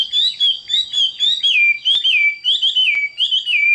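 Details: Chinese hwamei singing: loud, clear whistled phrases that dip and slur downward, repeated about every half second in a rich, varied run.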